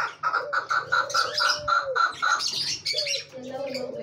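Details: Chukar partridge: evenly spaced clucking notes for about two seconds, then breaking into mixed chatter. A long low drawn note runs beneath, with high twittering from other birds.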